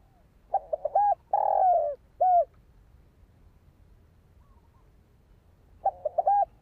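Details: Spotted dove (Spilopelia chinensis) giving a phrase of soft, hollow coos, a few quick notes then longer, throaty ones, repeated after a four-second pause; used to lure and train decoy birds.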